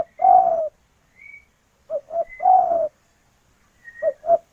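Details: Spotted dove, a local female calling the male: long falling coos alternating with pairs of short coos, accompanied by faint high whistled notes from another bird.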